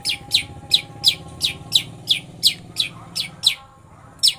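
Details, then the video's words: Lovebird-style song from a long-tailed shrike (pentet): sharp, high chirps repeated about three times a second over a soft low background hum, then a brief pause and one more chirp. "Pentet full ngeroll love bird"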